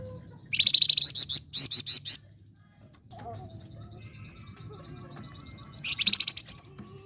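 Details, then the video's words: Flame-breasted flowerpecker singing a lively song, used as a lure for training songbirds: high, thin buzzy trills in short bursts, with a softer sustained high-pitched twittering between them. "Flamboyan Gacor"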